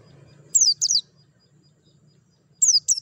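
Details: Short bursts of piercing, downward-gliding chirps from a white-eye, two at a time, with a faint low droning noise between; meant as singing stimulation.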